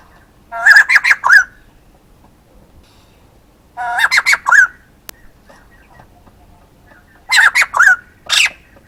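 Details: Male white-crested laughingthrush calling: three loud bursts of rapid, harsh, laughing notes, each lasting under a second and spaced roughly three seconds apart, against a quiet background.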